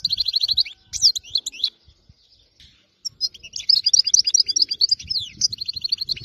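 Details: European goldfinch caught in the wild in area 86, its song called flawless: rapid repeated notes and bright chirps, a short gap, then a long, varied, jingling twitter with trilled phrases.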